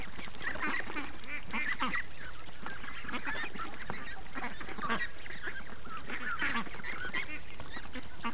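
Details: Morning chorus of free-range farm ducks, many birds quacking and honking at once in a dense, continuous nasal clamour.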